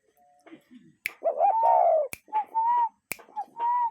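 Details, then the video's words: A real cuckoo calls in natural surroundings, giving short-then-long two-note phrases repeated three times, each long note drawn out and slightly falling, broken by sharp loud clicks between phrases. "Relaxing Cuckoo Bird Sound in Nature"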